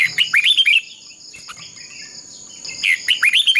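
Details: Red-whiskered bulbul decoy singing a combative contest song for training other birds: quick rising and falling whistled phrases at the start and end, a quieter gap between, with a constant high tonal hum behind.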